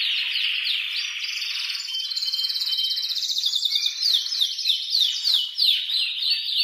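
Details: Male canary in heated breeding song, meant to encourage a female toward mating and nest building: a chain of rolling trills and quick rising sweeps, varied and continuous.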